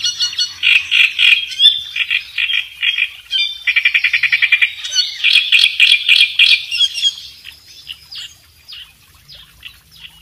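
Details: Kerak besi singing vigorously, used as a master recording for training songbirds; fast, scratchy chatter of rapid repeated notes and rattling bursts, high and harsh, trailing off into softer fragments toward the end.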